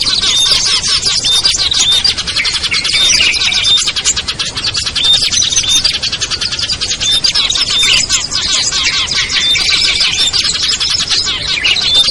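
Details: Lure recording for small birds, meant to draw down birds reluctant to descend, such as prinias and bulbuls: a dense, continuous chorus of high chirps, twitters and thin whistles overlapping throughout, with no pauses.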